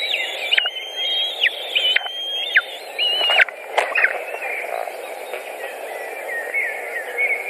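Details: White-tailed eagles at a nest in Latvia, 14 June 2019, an adult feeding young with a pike. Level high whistles with abrupt drops come over about four seconds, then fade to softer, wavering notes.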